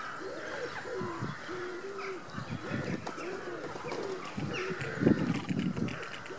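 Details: Cinnamon teal in courtship, giving a series of low, arched, nasal notes, each rising then falling, repeated every half second or so, with faint higher chatter and soft outdoor background.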